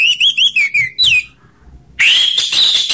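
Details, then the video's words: Orange-headed thrush singing in a mix of rough and slow styles meant to provoke kept birds: a run of quick rising-and-falling whistled notes, a short pause, then a long sustained whistled phrase. "Perang Anis Merah Ngeplong/ suara kasar vs suara slow"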